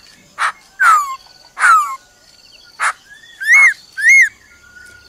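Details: Female laughingthrush calling "ro ro" to excite a male. Short harsh bursts alternate with falling slurred whistles, ending in two ringing arched notes that rise and fall, with quiet gaps between phrases.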